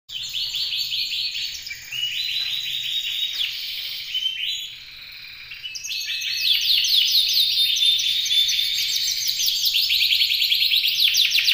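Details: Caged canary described as ready to mate and singing loudly, a competition bird placed second on 12 November 2024. It gives fast, bright rolling trills and chattering runs, dipping briefly quieter midway, then resuming louder and denser.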